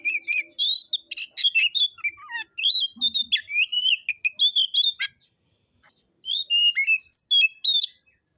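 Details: Oriental magpie-robin singing in a song contest: a fast, varied stream of sharp whistles, rising and falling slurs and chattery notes, delivered in bursts with a short pause near the middle before the phrases resume.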